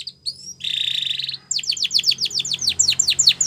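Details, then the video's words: Canary singing a training song: a few thin high whistles, then a dense buzzy trill of about a second, followed by a quickening run of sharp downslurred chirps. "Your Canary Will Sing A Lot With This Voice"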